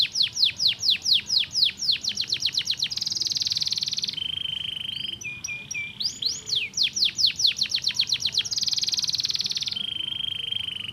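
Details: Singing canary, song meant to stimulate other canaries: rapid descending whistled notes about four per second, then sustained buzzy trills at two pitches, a brief soft warble, and another run of downward sweeps.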